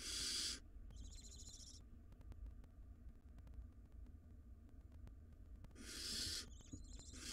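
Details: Nestling barn owls, wild in a monitored nest box, tug at a very large rodent: a harsh hiss and a wheezy harmonic call, a long pause with faint clicks, then hissing resumes.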